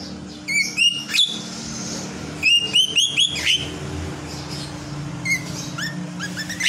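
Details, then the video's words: Lovebird singing while asleep: bursts of rapid high chirps and short upslurred whistles, about four per second in clusters, separated by brief pauses; low steady hum underneath. "burung Lovebird gacor || bunyi sambil tidur"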